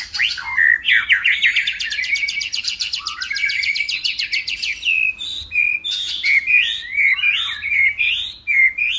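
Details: Contest song of a white-rumped shama that keeps changing its voice while flicking its tail: opens with a rapid, even rattle of many quick notes, then gives clear looping whistles and varied warbled phrases repeated over several seconds.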